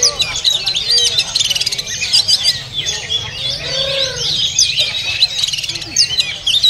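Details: Oriental magpie-robin, kept caged at a bird market, sings rapid varied phrases of bright whistles, trills and sharp chips, with low cooing from other birds and background market noise underneath.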